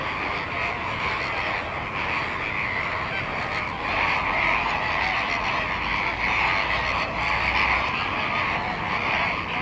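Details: Flock of flamingos on the salt lake at Larnaca, Cyprus, calling together in a steady, thick wall of goose-like honks and chattering that swells slightly in the middle.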